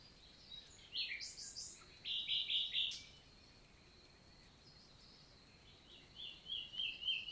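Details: Common nightingale singing on a summer morning, 11 June, in a countryside forest of the Célé valley, Lot, southern France; short bursts of rapid, repeated high notes and trills separated by pauses, with a steady high background hum.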